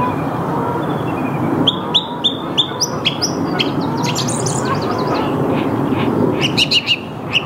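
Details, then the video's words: Early-morning song thrush, Mülheim an der Ruhr's Saarn-Mendener Ruhraue, 8 March 2022, 08:10, Canon EOS R5 recording: short repeated high whistles run into a busy, varied sequence of chirpy and buzzy phrases over a steady background hum. "Song Thrush singing / Singdrossel singt"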